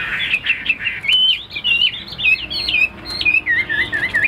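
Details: Caged tame Chinese hwamei singing clear, ringing whistled notes in stepped, angular phrases, each note sliding up or down, delivered in quick varied sequences.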